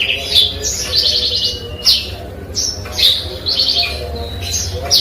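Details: Eurasian tree sparrow giving song stuffed with canary and cigun phrases: sharp high chirps alternating with short buzzy trilled rattles, phrases spaced roughly every second, over a steady low background hum.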